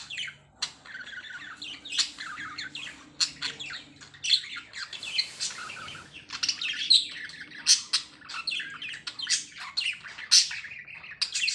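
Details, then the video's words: Lovebirds kept as pets, chattering after being shushed: a busy flurry of sharp high chirps and squeaky squawks from several birds overlapping, with a faint hum indoors. "Shushing Love Birds & they responded"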